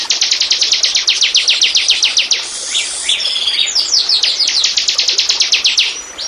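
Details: Bar-winged prinia (ciblek) lure song for attracting wild birds: rapid, evenly spaced high chipping notes, a brief buzzy, twittering break, then the quick chip series resumes.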